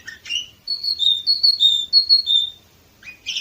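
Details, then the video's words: Canary of the Orpheus type, recorded in Varna, Bulgaria, in 2018, singing a clear whistled phrase of level pure notes at alternating pitches, framed by short chirpy notes at the start and end, in a quiet setting. "Canary Orpheus"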